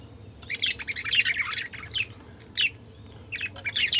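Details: Colourful budgerigars chatter in a busy burst of chirps and squeaky warbled notes, then give short isolated chirps after a pause, over a steady low hum.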